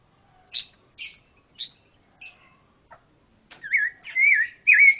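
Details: Pancawarna bird song opening with separate high buzzy chirps, then speeding into loud, rolling whistled loops and rising slurs in quick succession.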